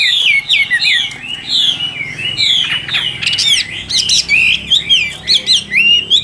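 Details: Caged Chinese hwamei in full song, a continuous stream of rich whistled phrases mixing rising slurs, falling sweeps and rapid sharp notes, strong and varied throughout with brief pauses between phrases.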